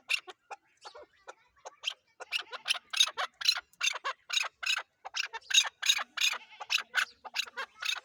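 Chukar partridge giving harsh, clucking chuk notes that start sparse, then speed up and grow louder into a rapid, grating series.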